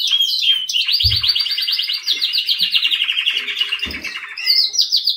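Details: Canary trilling in long rapid rolls and warbled phrases, ending in higher whistled notes, with two low knocks in the background.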